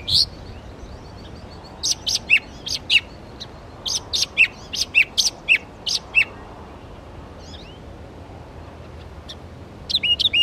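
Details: Northern mockingbird mimicking other birds' songs at Belle Isle Marsh Reservation, East Boston, Massachusetts; sharp, varied high chips and short phrases come in quick bursts, pause for a few seconds, then resume.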